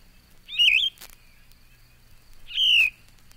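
A Yellow-throated Vireo sings two short, burry, slurred phrases about two seconds apart, the second sliding downward. The background is quiet.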